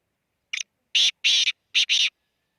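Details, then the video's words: Black francolin calling near Khushab: a short stuttering note, then four loud, harsh rasping notes in two quick pairs over about one and a half seconds, with a clean, quiet background. "kala teeter ki awaz"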